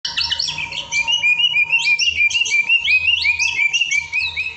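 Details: White-rumped shama song used as a popular 2023 training recording for caged birds: rapid, varied whistled and chattering phrases, high and bright, about three notes per second, over a steady faint humming tone and low background rumble.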